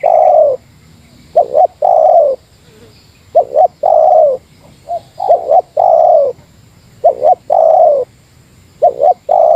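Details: Lure spotted dove of the Meratus style facing a rival: steady run of low mellow coo phrases, double pickup notes then a long held coo, about five phrases with short extra notes between some.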